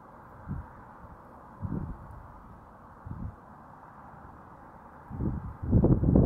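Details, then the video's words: Great horned owl giving deep, soft hoots, about five low notes at uneven intervals, the last ones closer together, over a steady background hiss. "Great Horned Owl"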